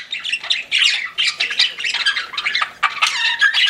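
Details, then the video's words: Budgerigars kept as pets chirp steadily, overlapping squeaky twitters and grating warbled notes forming a busy, unbroken chatter. "CUTE PET BUDGIES CHIRPING"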